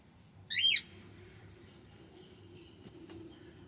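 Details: A single loud, harmonic chirp from a male cockatiel, sweeping up and down, followed by faint quieter chirps and low background hum.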